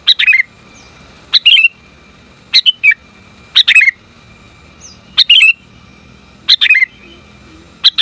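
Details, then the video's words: Female sooty-headed bulbul calling the male: short bursts of bright chirps, each a sharp click followed by a warbling downslurred twitter, repeated about every one to one and a half seconds, with a steady faint tone underneath. "Suara Burung Kutilang Betina Memanggil Jantan"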